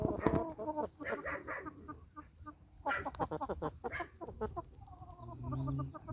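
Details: Chickens on a farm clucking in repeated rapid, nasal bursts, some louder and stacked together, with a low background hum throughout.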